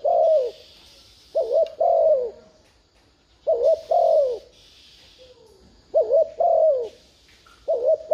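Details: Urging thúc gù coos from a spotted dove decoy meant to make wild doves coo back: soft, hollow double phrases repeated steadily about every two seconds, alternating with bands of background hiss.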